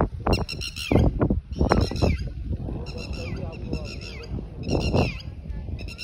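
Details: Red-wattled lapwing calling in the evening at Bahria Town, Karachi, in three bursts of sharp, shrill, rapidly repeated notes, over low rumbling background noise and possible distant voices.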